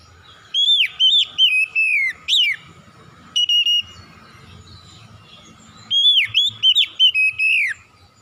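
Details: White-rumped shama delivering forceful, loud song, bursts of five or six ringing whistled notes that slur downward, a lone double whistle, then another rapid run of clear whistles.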